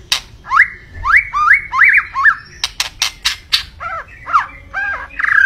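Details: White-rumped shama singing a series of upward-slurred whistles, then dry rattling clicks and lower bent whistled notes.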